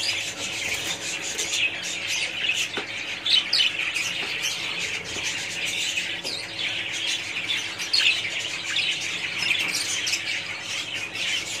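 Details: A colony of budgerigars produces a long, unbroken chorus of high twittering, warbling and chirping from many birds, with occasional louder squawks standing out; faint low hum beneath.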